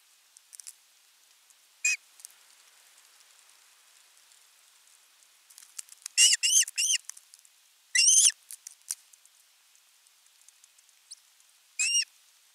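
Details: Nestling osprey in Finland, nest 3, 10 August 2021, calling for fish: scattered high whistled yelps, a short burst of three around the middle and single calls elsewhere, over a quiet background with faint clicks.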